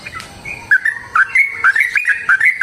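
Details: Sooty-headed bulbul song in chatty fighting style: a string of clear whistled notes, short rising and falling slurs repeated in quick bubbly phrases.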